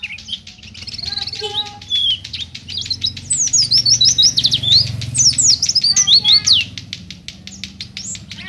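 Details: Oriental white-eye in vigorous song, recorded as a tutor or lure for other birds. A long run of fast, high zigzag trills sounds over a constant crackling background.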